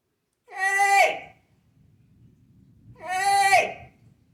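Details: Captive African grey parrot imitating household sounds and animals such as cat, dog, horse and duck. Two loud, rich, wailing cries like a whimpering infant arrive about two and a half seconds apart, with low room rumble between them.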